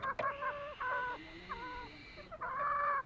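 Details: Green junglefowl on Lombok: a couple of sharp clicks, then drawn-out, slightly wavering nasal call notes, with a longer, steadier tone closing the sequence.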